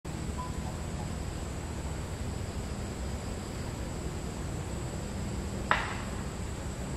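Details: Broad, even background hiss and low rumble like distant traffic or a fan, with one sharp click.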